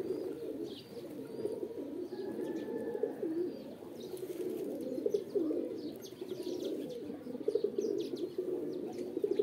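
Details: Pigeons coo in a continuous throaty chorus, swelling and ebbing, with a thin steady whistle-like tone and scattered clicks, growing choppier toward the end.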